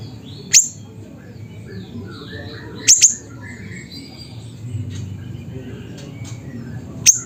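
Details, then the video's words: Siri-siri singing in Pidie, Aceh, Indonesia: isolated piercing high chips and a quick double note spaced a few seconds apart. Softer whistled notes from other birds sound in between over a low rumble. "Burung Siri Siri Nembak Suara Gacor"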